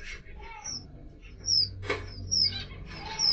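Red avadavat giving thin, very high squeaky notes about once a second, mixed with soft clicks and rustles over a low background hum.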